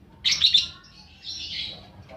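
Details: Lovebird lure recording for fighter birds, with one loud shrill squeaky burst followed by a softer, longer, wavering squeal.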